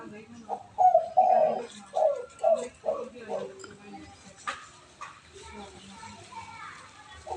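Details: Spotted dove cooing in the "kuk 4" style for tutoring other doves: a short burst of low, rounded coo notes opens, then softer background noise and a sharp knock follow with faint calls.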